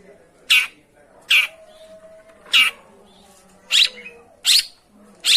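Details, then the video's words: Long-tailed shrike sound meant to prompt a silent bird to sing: loud, hoarse, rasping notes spaced irregularly, roughly one per second, over soft low background noise. "suara pancingan burung pentet macet/malas bunyi"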